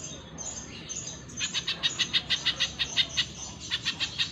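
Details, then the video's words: Spiderhunter singing in a training recording for cage birds: a rapid series of high, sharp chirped notes repeated about three times a second, preceded by a thin high whistle, over low background hum. "Masteran Pijantung Pisang Gacor"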